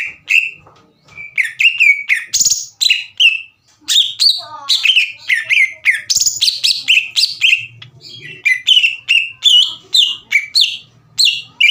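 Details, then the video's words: Green leafbird singing energetically as a lure to provoke rival birds: a long stream of quick, varied whistles and chirps, mostly falling slurs, delivered almost without pause with brief breaks, and a faint low hum behind. "MEMANCING CUCAK IJO LAWAN AGAR EMOSI DAN GACOR"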